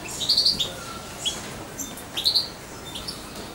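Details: Hand-fed European goldfinch chick almost two months old, kept close to its keeper: quick clusters of thin, high twittering notes, a few isolated chirps between them, against steady low room noise.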